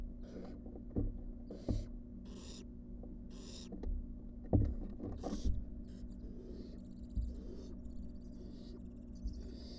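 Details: Wild barn owl nestlings returning to the box from the porch give repeated rasping hisses among frequent knocks and scraping thumps, the calls blurring together toward the end over a low hum.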